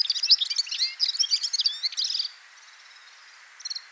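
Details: Red-fronted serin (Serinus pusillus) pouring out a fast, high, jingling twitter of chirps and brief trills for about two seconds, then falling quiet before one short buzzy trill near the end.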